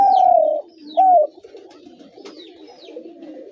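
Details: Two strong coos from a spotted dove, the first long and gently falling, the second shorter. A blur of softer low cooing and a few high sweeping chirps continue underneath.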